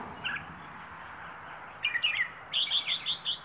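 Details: A Rayong wild bird delivers plai ho style song. After a faint opening note comes a fast chirpy cluster, then a rhythmic series of five or six clear, evenly repeated whistled notes to the close.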